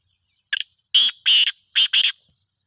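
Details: Black francolin (kala teetar) giving a loud, harsh, grating call: one short rasping note followed by two pairs of buzzy, scratchy notes, the whole phrase under two seconds, with silence around it.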